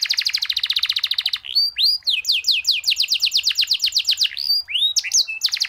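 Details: Canary singing a long rolling song with unique, ornate phrasing, used for training other birds: fast buzzy trills of rapid repeated notes alternate with sharp rising and falling whistled sweeps, then burst into new trills, continuous throughout.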